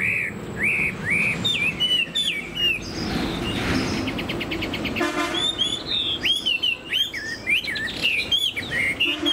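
A Chinese hwamei sings a rich, continuous run of loud, varied whistled phrases with rising and falling slurs, broken midway by a few harsh, buzzy rattling notes.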